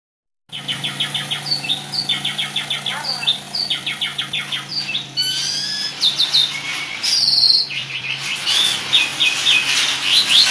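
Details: Long stretch of lively Asian pied starling chatter: trains of rapid repeated high notes, upward flicks, then harsher rattles and bright whistled phrases, over a faint low hum.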